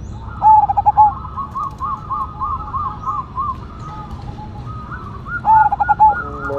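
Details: Zebra dove, Cemani Majapahit strain, with a big voice. A fast stuttered cooing phrase opens and another closes the recording, and between them a second bird keeps up a run of short, higher, wavering notes.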